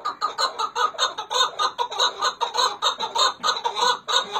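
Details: A Chukar partridge of the Hakkari and Dersim type gives a rapid run of harsh, clucking chuk notes, about three per second, building into a steady rhythmic chatter.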